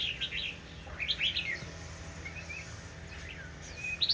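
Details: Shama singing: short, high, warbled chirping phrases come in quick bursts, fairly faint, with quieter twittering between them against a low background hum.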